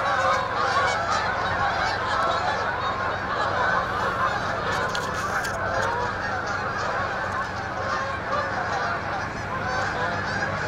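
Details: A flock of Canada geese coming in to land at dusk, their harsh honking layered into a steady chorus that carries on for about ten seconds, with a low rumble beneath.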